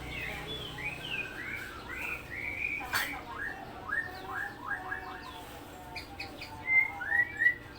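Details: Murai Batu Supak line white-rumped shama delivering 'roll tembak' phrases: quick sliding whistles and repeated rising notes in short series, with a sharp click midway and low background murmur.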